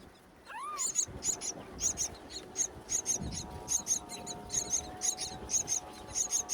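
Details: Wild myna nestlings on a tall palm tree being fed by their mother during nesting season. A lower swooping whistle opens, then steady, piercing high squeaks repeat several times a second over a faint droning hum.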